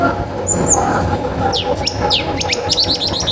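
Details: Long-tailed shrike singing to stir other shrikes into song; a thin high whistle opens, then falling swept notes and a quick stuttering series of short chips over a hissy background.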